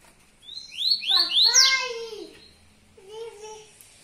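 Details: A yellow-bellied seedeater delivers a tui tuí song, a rapid chain of rising whistled notes peaking in a loud burst, followed by a shorter, softer phrase.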